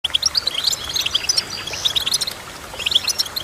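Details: Goldfinch singing: quick bursts of high, sharp twittering chirps and short tinkling notes, tightly packed, with a brief quieter gap near the middle.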